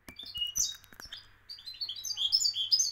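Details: Moroccan goldfinch giving fast, twittering song notes, high and jangling, with a few sharp clicks at the start over a faint low hum.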